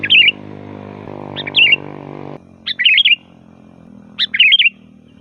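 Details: Sooty-headed bulbul song used to lure wild bulbuls: brief sharp chirping phrases about every second and a half, over a droning low hum that cuts in and out.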